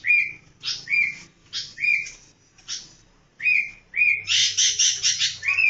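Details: A pet sooty-headed bulbul, tame after four months and noisy all day, gives short bright whistled notes with a harsh edge, about one a second, then a quick run of chattering notes.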